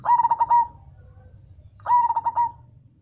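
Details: Captive cemani zebra dove, a black variety with a bass song used to provoke replies from local and crossbred doves: two short phrases, each a fast burst of clipped coos ending on a lingering low note, separated by quiet.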